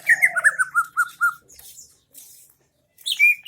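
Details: Greater green leafbird from Aceh Tengah singing an 'isian MB' (filled-in) song: a quick run of about seven arched, whistled notes over a faint lower hoarse tone. A pause follows, then a higher whistle starts again.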